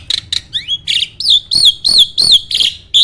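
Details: Caged contest jalak starling delivering its speed style: a few buzzy notes, then a rapid series of arched whistled notes, roughly three a second, loud and evenly repeated.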